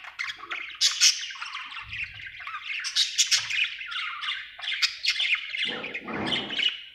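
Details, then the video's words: A happy pet budgerigar chirps continuously, a dense run of scratchy squawks and warbling chatter with sharp clicks and whistled notes, fairly steady throughout, with a brief low thump or rustle near the end. "Happy budgie chirping sound"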